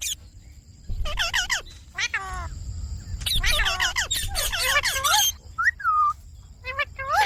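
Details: Green Indian ringneck parakeet kept as a pet: loud, harsh squawks in clustered bursts, mixed with wavering nasal calls and a couple of falling whistled notes.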